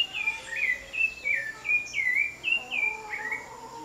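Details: Free-living thrush (sabiá) in a house backyard giving rapid clear whistles that swoop and dip, phrases close together, while fainter lower chirps of distant parakeets sit beneath and a steady high hiss runs throughout.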